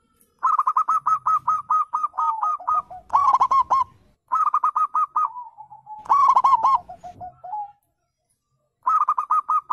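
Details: Wild zebra dove, local and Bangkok-type birds, whose call is played to lure caged birds into answering: phrases of short clipped notes at steady pitch that run into rolling trills and end in a slurred drawn coo, repeated four times with pauses.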